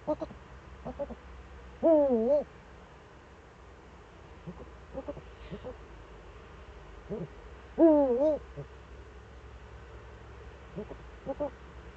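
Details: Eurasian eagle-owl calling in the Eifel, 4 February 2014, 7:27 to 7:46: two long wavering hoots about six seconds apart, with softer short notes scattered between them over a steady low rumble.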